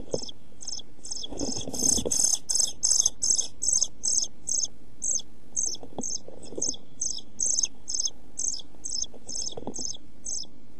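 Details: Nest-box European pied flycatcher young, 11-12 days old, about to fledge, 29 June 2013: a long series of high, squeaky calls, several per second, briefly swelling into a dense, loud chorus with rustling before settling back.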